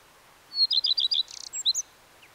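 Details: Common redstart singing a thin lead-in note, then a string of about six rapid, bright repeated notes, a short scratchy buzz and a few scattered high chips closing the phrase.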